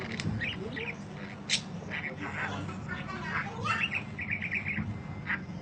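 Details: Budgerigar long chirping, kept as mastering audio for tutoring other birds: quick chattering run of short chirps and clicks, with a short trilled burst near the end, over a steady low hum.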